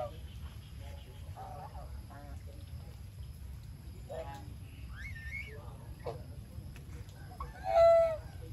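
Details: Farm-raised geese eating their food give scattered short nasal honks and softer gabbling notes. Near the end comes one louder, drawn-out honk, over constant low rumbling noise.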